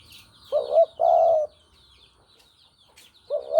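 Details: Spotted dove, Javanese type, used to lure birds into traps: a wavering coo followed by a long steady hollow note, then the start of another phrase, while small birds chirp thinly in the background.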